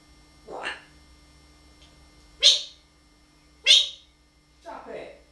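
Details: Pet talking parrot uttering four short bursts spaced about a second apart: a breathy low sound, two sharp hissing exclamations, then a rougher, lower syllable. Faint hum underneath.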